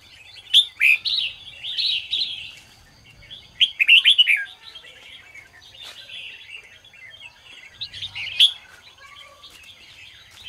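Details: Red-whiskered bulbul singing in the morning, a recording used to spur other bulbuls into song: three loud bursts of rich warbled, chattering whistles, each about half a second long, separated by softer twittering.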